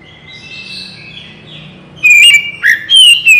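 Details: Oriental magpie-robin (kacer) song, used as a lure to make other birds respond quickly. After two near-silent seconds comes a burst of loud, clear whistled notes, some sliding up and down, in quick separate bursts.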